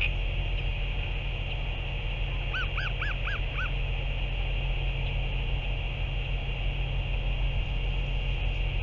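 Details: Northern royal albatross on 30 March 2023 giving four quick, bowed, nasal notes in a tight burst of about one second, each rising and dropping in pitch, set against constant mechanical hum and background hiss.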